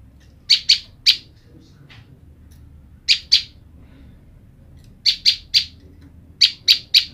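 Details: A female olive-backed tailorbird, kept apart from her mate, calls to the male with sharp, high chips in quick pairs and triplets, repeated every second or two over a faint low hum.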